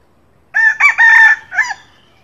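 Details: Wild red junglefowl cock crowing at dawn for luring: a clear, close, harsh crow of four quick segments, short lead-in, two loud strained middle parts, a clipped falling tail, all within roughly one second over near silence.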